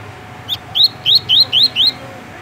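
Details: Double-collared seedeater kept by a Rio de Janeiro breeder, singing a tui-tui sequence of six evenly spaced, clear upslurred whistles, each sweeping upward in pitch.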